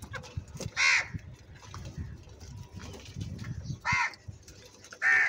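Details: Angry crow with very loud calls: one harsh caw early, then two more caws close together near the end, over a noisy low background.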